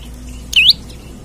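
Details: Olive-backed tailorbird giving a single sharp, high, upswept whistled note, a quick dip then rise, against quiet background hum.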